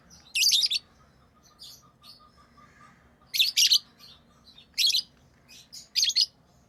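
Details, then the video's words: Tame lovebirds give scattered bursts of scratchy, high-pitched chirps, roughly one every second or so, with short quiet gaps between and a faint steady hum beneath. "Love birds Sounds | lovebirds chirping sounds"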